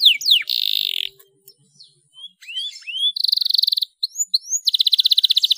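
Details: Canary in full 'gacor' song, used as a lure to spur other canaries to sing: descending whistled slurs, a dense buzzy roll, rising whistled notes, then fast rattling trills repeated several times a second.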